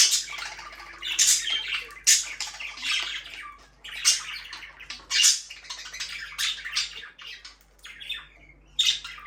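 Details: Pet budgerigars chirping: dense bursts of bright, scratchy chirps and warbles come in clusters roughly every second or two, separated by short quieter gaps, with a faint steady low hum beneath.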